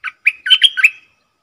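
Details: Streak-eared bulbul serving as a decoy for wild birds and as a tutor for young birds: a quick run of six bright, bubbling, chirped notes ending in a fading trill.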